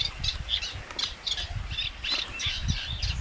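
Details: Eurasian Reed Warbler singing in reedbed at a lagoon in Spain: a steady run of scratchy, chattering phrases, each repeated two or three times, over a low rumble of wind or distant noise.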